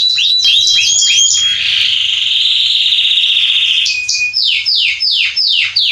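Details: Male Belgian canary singing as warm-up: rapid sweeping notes open into a long loud rolling trill, then a series of steep descending slurred notes repeated about every half second.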